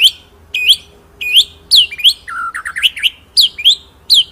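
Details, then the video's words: White-rumped shama song played as training material for other birds: sharp high whistled notes spaced about every half second, broken by a fast burst of lower rising and falling phrases. "BURUNG MURAI MASTERAN NGEROLL NEMBAK"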